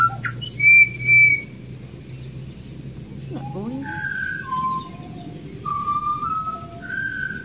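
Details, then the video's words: Wild pied butcherbird in Australia singing a series of clear, pure whistled notes, some level and some gently sliding, spaced about half a second apart. Two louder ringing tones come earlier, over a steady low hum. "Australian pied butcherbirds Excellent singer!"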